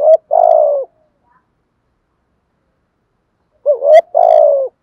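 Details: Decoy spotted dove, 'thúc gù' cooing: a falling coo, a long silence, then a rising two-part hoot and a longer descending hoarse note, with a sharp click just before it.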